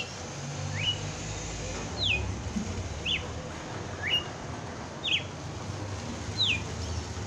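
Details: Red-cowled cardinal on Christmas Day in 'batendo fogo' song: six thin whistled slurs, some rising and some dropping, about one per second, over noticeable low-pitched background rumble.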